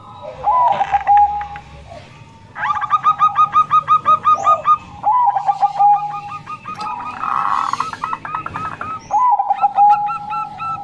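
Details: Local female zebra dove of the Bangkok type, a voice used to lure males that rarely sing or wild birds: repeated hoarse, harmonic coos with fast pulsed trills, in phrases about two to three seconds long.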